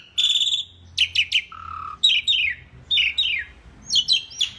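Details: Asian pied starling (jalak suren) singing vigorously on a masteran tutor recording: harsh chattering phrases roughly once a second, broken by a steady low whistle, with scratchy overtoned notes.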